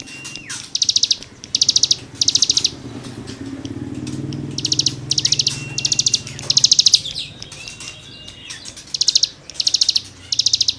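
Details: Cigun song used to tutor songbirds: repeated short bursts of fast, high, scratchy trills separated by brief pauses, over a low rumble like a passing vehicle.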